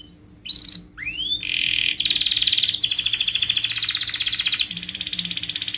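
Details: Canary delivering a melodious rolling song: a few sweeping whistled notes open into long fast buzzy rolls, trilled phrases shifting pitch and continuing without pause, a faint steady hum in the background.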